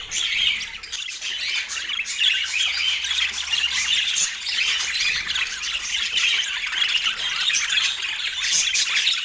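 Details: Pet parakeet during its autumn morning feeding time in natural light; dense, continuous high chattering and squawky twitters run unbroken through the whole stretch, with brief sharp peaks near the start and end.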